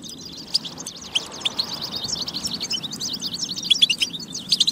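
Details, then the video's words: European goldfinch twittering used to get goldfinches singing: softer, scattered high chirps and short trills, growing busier toward the end with a few bright piercing notes, over low background noise. "لتحفيز الحسون على التغريد والجهوزية"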